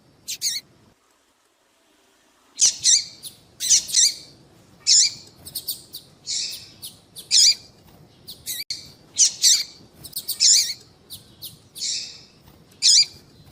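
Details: Calling female double-collared seedeater, used to excite males. After a brief silence, loud, high, slurred chirps follow one another about every second, some doubled, with an even, insistent rhythm.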